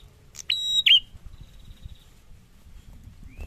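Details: Prinia sings one loud, high, steady note ending in a quick slurred flick, followed by faint thin whistles over low rumbling background noise.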